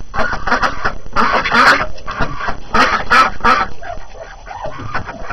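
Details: Hungry ducks let out in the morning after the first snow of the new year, calling busily with harsh repeated quacks in quick clusters that fade slightly toward the end.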